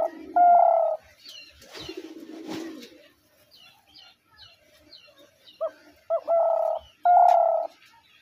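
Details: Spotted dove giving two full coo phrases, each a brief upward note then a pair of drawn-out, even coos, separated by a rustling burst and faint high bird chirps.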